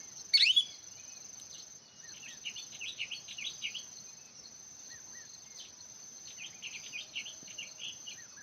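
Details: Hwamei song: an opening loud burst, then a run of short, quick whistled and slurred notes, repeated in bursts over a steady high insect-like whine.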